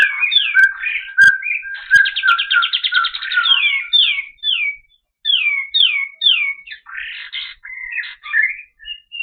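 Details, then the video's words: Olive-winged bulbul (kapas tembak) singing clearly, kept for training other birds: low whistles and chirps, a rapid buzzy trill, then a string of downslurred whistled notes, scratchy bursts and short chirps with brief gaps. "Masteran Suara Burung Kapas Tembak Jernih"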